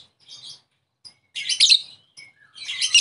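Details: A lovebird lure call for provoking an opponent to answer: a few thin faint chirps, then a loud rasping burst, a brief whistle and a final harsh crescendo of chatter.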